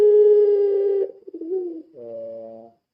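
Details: Puter pelung ringneck dove lure call used to stimulate other birds: a long steady low hoot of about one second, a short wavering gurgle, then a shorter, slightly higher harmonic coo, with no other sounds.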